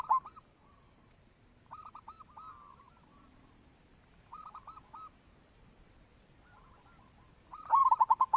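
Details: Local zebra dove cooing used as a lure call: soft, mid-pitched trilled coo phrases in short bursts spread through the recording, ending in a louder rolling coo sequence, with a faint steady hum behind.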